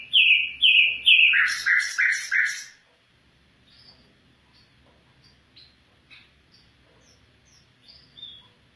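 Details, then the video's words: Afghan bulbul giving a loud burst of three whistled notes followed by harsher, buzzy lower phrases for about three seconds, then only faint scattered chirps. "Afghan bulbul bird voice افغانی بلبل کا آواز"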